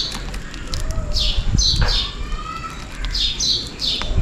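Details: Sparrows at a bottle feeder with millet on a rainy day give quick, bright chirps in clusters, several per second, calling for food, over a low steady rumble of rain.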